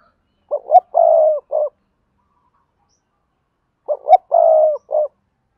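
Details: Double-voice (giọng đôi) coo of a decoy spotted dove from Đồng Nai, Vietnam, meant to lure wild birds: two identical phrases about three seconds apart, each two short hoots, a long low coo and a clipped end note.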